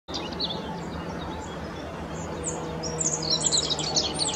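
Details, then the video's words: Rock bunting on the Apolloweg at Valwig, Moselle valley, Germany: high, thin, quick twittering notes that grow busier toward the end, over a steady low rumble of background noise. "Rock Bunting. Zippammer."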